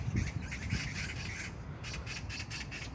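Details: Scratchy chattering from a magpie, Incheon, South Korea, June 19, 2022: a fast series of raspy notes, briefly thinning then resuming, with some low thumps early on and constant low hum.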